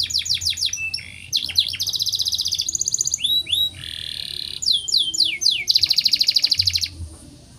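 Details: Singing canary in breeding condition, its long rolling song mixing fast chattering trills, quick downward-swept notes, a lower buzzy phrase and repeated rising slurs, with bursts of rapid pulsed rolls between them.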